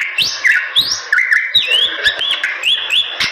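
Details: Bali myna delivering gacor song, a rapid series of clear rising and falling whistles and looping slurred notes, with occasional sharp clicks.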